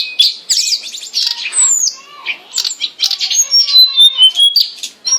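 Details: Hill blue flycatcher singing in a recording meant to tutor caged birds: a fast, energetic run of high sweet whistles, downward slurs and twittering notes, the phrases tumbling together with few gaps.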